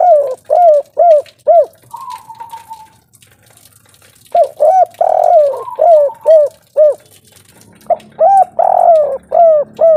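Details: Local spotted dove (tekukur) singing in the kuk 3 style, loud and vigorous: runs of short, arched, low cooing notes about twice a second in phrases, broken by a pause, with a flat, even, higher whistle-like tone between phrases.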